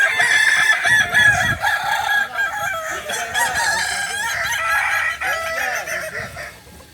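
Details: Kukuak balenggek roosters in a training session at Ampang Kualo, Solok, crowing together in dense, overlapping, stepped notes that waver up and down, loud at first and fading toward the end.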